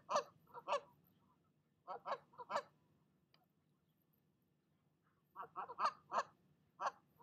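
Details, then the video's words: Mother goose on her nest driving off a visiting goose, giving harsh honks in short bursts of two to four, separated by pauses of a second or more. "Mama Goose does NOT like visitors, and she'll let you know it!"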